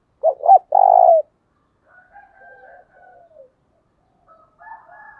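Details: Decoy spotted dove coo used to attract wild doves. It opens with two short hooted notes and a sustained low coo that drops at the end, followed by faint, thin wavering calls.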